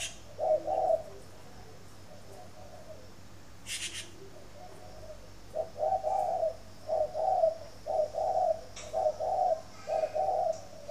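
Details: Spotted dove cooing in the morning, bred at a bird garden in Ba Vì, Hanoi, Vietnam: low, hoarse coos grouped as short and longer notes, repeated steadily after a pause, with a brief sharp click and faint room hum.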